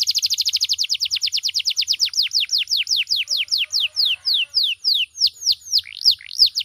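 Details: Loud, varied canary song opening with a very fast trill of downward-sweeping notes that gradually slows into separate clear descending whistles, with a faint low hum underneath.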